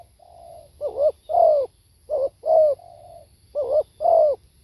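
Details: Low cooing from a spotted dove. Three phrases, each starting with a soft drawn-out hum and followed by a wavering coo and a longer falling coo, repeated roughly every 1.4 seconds.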